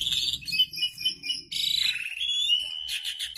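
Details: Asian pied starling in a pairing setting, giving dense high chattering and squeaky notes that blur into a continuous stream, ending in fast rattling chirps.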